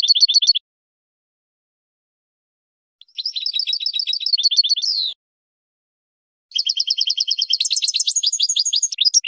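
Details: Tutor song of a European goldfinch for young birds bred in 2020: long runs of rapid, evenly repeated high chips, rising into a brighter, more varied twittering phrase near the end, with short pauses between runs.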